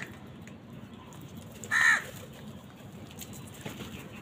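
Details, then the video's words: House crow competing with wild birds for food: a single short harsh caw stands out from a quiet, noisy background, with faint other sounds before and after. "Crow bird live crowing sounds | Crows fight with wild birds for food| কাকের ডাক Crow Sound"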